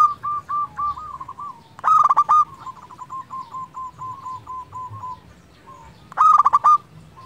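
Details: Zebra dove of a local type, kept caged, sings to rouse silent birds: a loud broken coo followed by a long run of evenly pulsed soft coos, then another loud burst.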